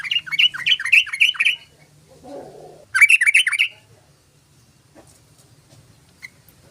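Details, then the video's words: Yellow-vented bulbul in full song, recorded as a lure to attract others of its kind. Two quick bursts of harsh, rapid chattering notes are separated by a short low rustle, followed by near silence. "TRUCUKAN SUARANYA COCOK UNTUK PANCINGAN BURUNG TRUCUKAN❗❗❗TRUCUKAN GACOR"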